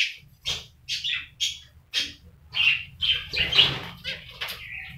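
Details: A pair of black-faced finches giving short, high chirps in separate bursts roughly every half second, growing busier and overlapping toward the end, over a faint low hum.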